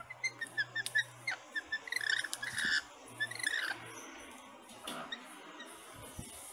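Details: Lorikeets calling in a run of short, sharp, chirping notes over the first few seconds, then scattered squeaky chatter fading out, with faint background noise.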